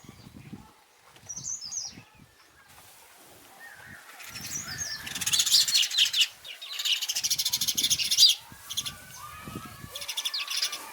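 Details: House sparrow chirping: scattered short, high chirps and squeaky notes, some in quick clusters, over broadband rustling noise and soft low thumps.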